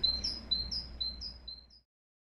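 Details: Tit singing in spring: a clear, thin two-note whistled phrase, a steady lower note then a higher one, repeated four times at about half-second intervals, fading out toward the end over faint low background hum.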